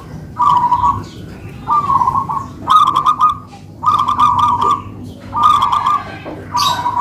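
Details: Zebra doves, a local type, two kept birds singing together in duet; rhythmic bursts of trilled, bubbling coos repeat about once a second, each phrase short and rolling, over faint low hum.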